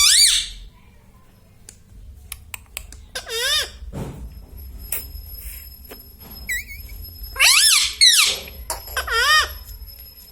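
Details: Talking pet parrot indoors, said to say mummy, papa and radhe radhe. Scattered short, high, wavering speech-like syllables among long quiet stretches with clicks and a faint steady whine.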